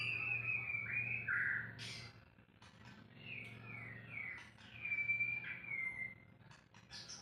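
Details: White-rumped shama in an unedited recording, singing a string of clear whistled notes that slide downward, some held and some looping, with soft clicks between phrases and a low constant hum behind.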